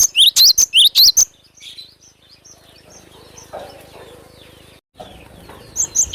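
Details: Cinereous tit (glatik batu) in full song, used as a lure sound: a rapid burst of about seven sharp, high chirped notes, then a quiet stretch with faint rustling, and a few more high notes at the end.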